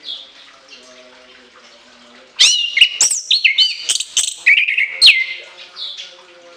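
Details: After two quiet seconds, an orange-headed thrush sings with a shrill, long imitation-filled phrase: loud, varied whistles, sharp upward slurs and trills tumbling quickly for about three seconds before it trails off.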